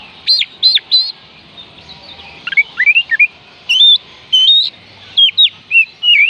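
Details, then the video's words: Oriental magpie-robin song for spurring silent kacer to sing: three loud looping whistles open, followed by a soft twittering passage, then bright rising and level whistles in clear separate phrases. "oriental magpie robin kicauan Kacer panggilan Kacer malas bunyi"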